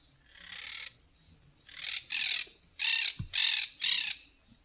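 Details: A Monk Parakeet in a rural area of São Miguel do Iguaçu, Paraná, Brazil, where the flock nests on an electricity tower, gives harsh, grating squawks in a quick series of about five bursts, roughly half a second apart, over a faint hiss.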